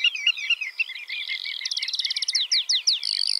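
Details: A brief stretch of Eurasian skylark singing: soft buzzy chirps lead into a fast run of evenly repeated notes, then several downslurred whistles and a final rapid rattled trill.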